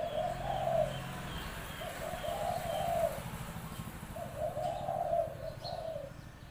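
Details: Caged spotted dove calling to lure birds at a trapping pen: three unhurried, low, hollow coo phrases with swelling notes, spaced about two seconds apart over light background rumble.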